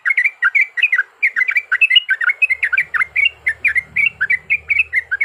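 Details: Trucukan, the yellow-vented bulbul, in vigorous fighting song used as a lure: loud, continuous babbling of short warbled notes, densely packed, with a low rumble entering partway through.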